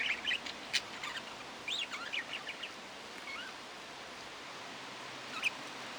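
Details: Budgerigar chatter of sparse short warbled and looping whistled notes with gaps of quiet between them.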